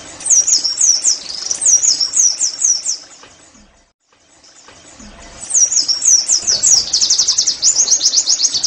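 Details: Oriental white-eye song used to make caged birds sing: phrases of sharp high slurred twitters, a silent pause, then a fast, dense rolling trill of chirps.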